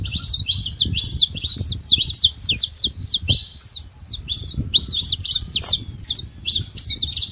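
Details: Saffron finch singing free in nature: a steady stream of high, sharply slurred chirps with a short pause near the middle, over a noticeable low background rumble.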